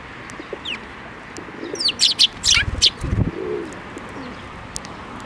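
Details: Sparrows flying onto a person's hand to be fed at a Tenmangu shrine on 7 May 2024; a quick cluster of sharp, high chirps bunched in the middle, with soft thumps and low handling noise around them.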